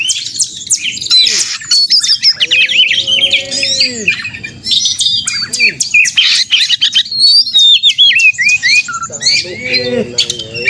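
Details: Fighting song of an Oriental magpie-robin (kacer), played to stir other magpie-robins into agitated singing; dense high chatter, rapid slurred whistles and squeaky trills, with a few lower, drawn-out tonal notes rising and falling beneath.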